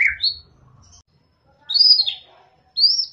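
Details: White-rumped shama (murai batu) song used to encourage shamas that sing little: three separate clear whistled phrases, the first dropping then rising high, the later two arching sweeps, with pauses between them and faint low rumbling beneath.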